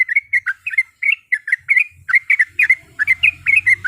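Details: Female yellow-vented bulbul calling to males, used to provoke a rival into answering: rapid chattering phrases of short bubbly notes, each a quick warble repeated several times per second, with faint low rumble beneath.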